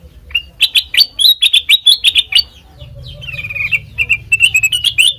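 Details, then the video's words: Sooty-headed bulbul song used as a lure for training other songbirds: a quick run of bright, sharp chirped notes, roughly two a second, then a softer wavering phrase and another burst of chirps, with a faint low hum beneath. "Suara Burung Kutilang Mas Sanget Merdu,COCOK BUAT PANCINGAN MASTERAN"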